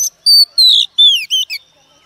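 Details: Female Oriental magpie-robin, wild-caught, singing to rouse males. Five clean whistled notes, some held and some swooping down, are spaced by short pauses in a crisp, bright phrase.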